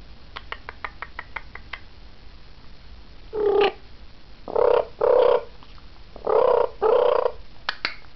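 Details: A two-year-old African grey parrot in an early-morning chat with its owner: a quick run of dry clicks, then five short, mid-pitched voice-like sounds in pairs, and a couple more clicks.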